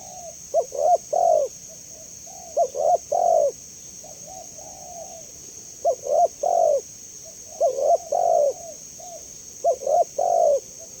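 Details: Spotted dove repeating soft, rounded coo phrases, two brief notes then a longer descending coo, four phrases within eleven seconds, with a steady high hiss throughout.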